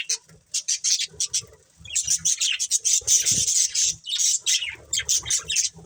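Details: Family of pet budgies chirping: clicky staccato ticks at first, then a rush of shrill, sharp, rapidly repeated chirps and scratchy twitters.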